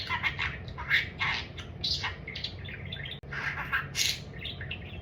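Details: Talkative pet budgie babbling about food, with rapid broken squawky syllables and a few clear whistled tones, a brief dropout midway, and a constant low hum underneath.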